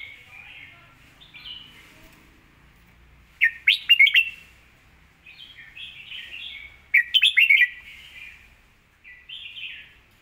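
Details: Red-whiskered bulbul with admired song phrasing and clear, quick notes, singing repeated phrases: soft warbling passages alternate with loud clusters of sharp chirps, two strong bursts about three seconds apart.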